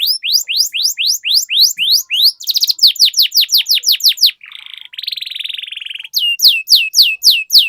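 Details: Canary song used as a lure to make other canaries sing and roll: rapid series of bright descending whistled sweeps, a buzzy trilled passage mid-way, then more repeated down-slurred notes.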